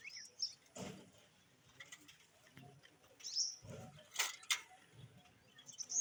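A parrot gives a few thin, high chirps with quick downward slurs, spaced irregularly between dull thumps and handling noises.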